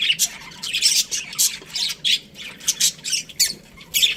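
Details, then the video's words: Breeding pair of Australian budgerigars chirping: rapid harsh squawky notes in uneven bursts, roughly three or four per second, over a steady low hum. "Budgies Parrot chirping sounds | Australian budgies breeding pair"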